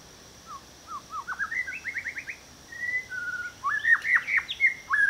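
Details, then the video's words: White-rumped shama singing rich, varied whistled phrases, short rising notes speeding into a rapid run, then sweet slurred and downward-swooping whistles over a faint insect hum, at Turtle Pool hide (made Feb/Mar 2023), Huai Khayeng Nature Park, Kanchanaburi, Thailand. "Well, how delightful. A beautiful welcome to Turtle Pool from the white-rumped shama there."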